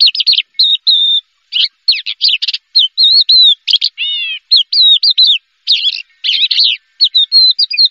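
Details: Prize-winning Horsfield's bush lark in full song: clear whistled notes, wavering slurs and scratchy bursts, including a descending stacked chirp near four seconds, phrases separated by short pauses; clean recording without background noise.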